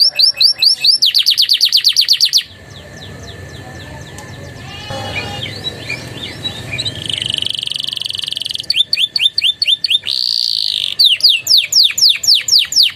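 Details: Canary song filled with Javan tesia and bar-winged prinia phrases. Bursts of very fast, high, rattling notes open and close the passage, with a quieter, noisy stretch of softer twitters and a brief buzz between them.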